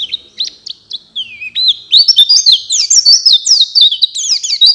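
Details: High chirps and slurred whistles from a white-eye lure recording for night and morning, loosely spaced at first, then quickening into a loud, continuous twittering warble.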